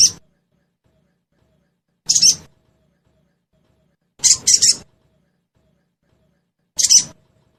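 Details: Sogon calls played to encourage caged birds to answer and sing. Harsh high bursts, single, doubled and tripled, recurring about every two seconds with quiet gaps.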